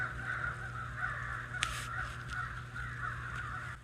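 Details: A whole flock of crows flying through on a chilly, snowy winter day, calling with repeated hoarse caws that merge into a steady, pulsing chorus, with a low constant hum underneath and one sharp click.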